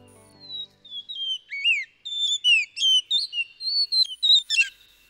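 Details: Blue Whistling Thrush in the Kumaon hills on a cold early morning, singing a quick run of clear, sliding whistles, several notes a second and rising and falling in pitch, ending in a brief scratchy burst.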